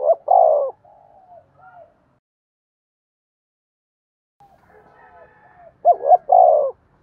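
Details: Spotted dove cooing, recorded for use as a lure for decoy birds: a loud, low, hollow two-part coo at the start and again near the end, with softer muffled notes between and silence in the middle.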